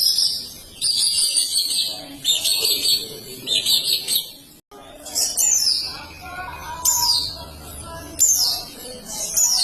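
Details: Long-tailed shrike delivering an extended, busy song of shrill twitters, sharp downslurred whistles and scratchy notes in quick bursts, after a short break partway through.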